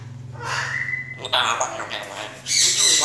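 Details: A grey parrot imitates human speech, apparently Vietnamese phrases, in a few quick, word-like bursts with clear vowel sounds, ending in a harsher, hissy burst.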